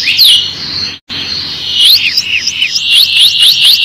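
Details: Canary song meant as a tutor recording so young canaries learn to sing and gain good melodies: loud, repeated swooping whistled notes in quick series, broken by a short silent gap near the start.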